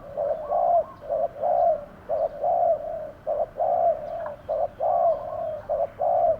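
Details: Lure spotted dove in a trap cage cooing steadily to draw wild doves; dense run of mellow low coos, short notes alternating with longer drawn-out ones, almost without pause.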